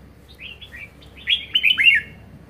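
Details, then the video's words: Caged red-whiskered bulbul in strong condition, singing the 'ché' style: soft opening notes build into a loud run of quick slurred, whistled phrases, rising and falling over a quiet background. "Chào mào hót hay | chào mào ché hay | chào mào siêu ché"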